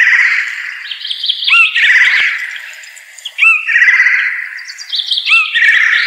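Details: Blue jay (Cyanocitta cristata) calling in a run of harsh, raspy squawks with short rising notes between them, loud throughout with no gaps of silence.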